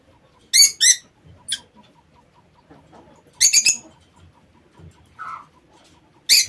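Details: Lovebirds kept in an aviary calling with harsh, high-pitched shrieks in pairs and quick triplets, plus one lower, softer nasal note, separated by quiet pauses.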